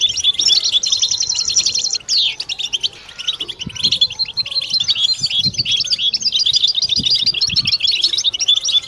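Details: Collective 'batbata' chorus of European goldfinches meant to spur mating song in males and females: a fast buzzy trill opens, then a pause around two to three seconds before bright overlapping twittering resumes and runs steadily.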